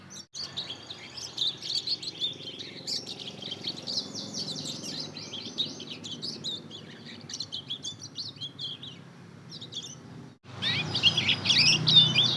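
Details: Two-month-old hybrid between Mozambique canary and domestic canary, a young bird practising its song, delivers a long rambling twitter of high, fast chirps and warbles, briefly pausing near ten seconds before a louder burst resumes.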